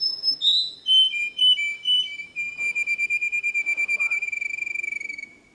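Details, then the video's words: Canary song with a few loud descending whistles followed by a fast, regular rolling trill on one steady pitch lasting about three seconds before stopping. "تغريد الكناري صافي و احترافي جودة عالية-Chant Canari"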